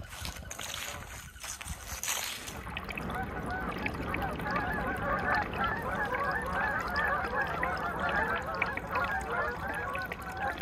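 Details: Migrating Canada geese in November on a calm lake in Aroostook County, Maine; a dense chorus of many honking calls overlapping continuously from about three seconds on, after a brief noisy start.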